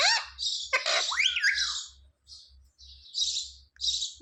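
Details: Pet parrot indoors, known for saying "mummy" and "papa", giving squeaky chirps and one rising-then-falling whistled squawk. Breathy, hissy noise bursts follow, with brief silences in between.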